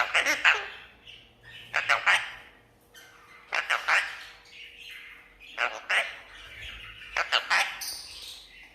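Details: Red-breasted parakeet kept as a talking pet, greeting visitors with five groups of gravelly, word-like double and triple syllables at fairly even intervals, ending on a thin high squeak, faint hum behind.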